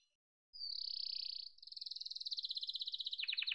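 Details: Yellow domestic canary opening with a steady high whistled trill, then a pulsing rolled tour that quickens and drops into lower, stuttered notes at the end.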